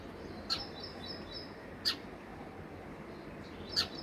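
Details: Sparrows at home during summer: three crisp, high, single-note chirps come at uneven intervals of one to two seconds against a constant gentle hiss.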